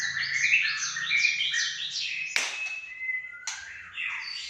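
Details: Aceh white-rumped shama, a kept bird named El Capitano, delivering rapid repeated falling whistled slurs, then a sharp click and long steady whistles in a small room, with a faint low hum behind.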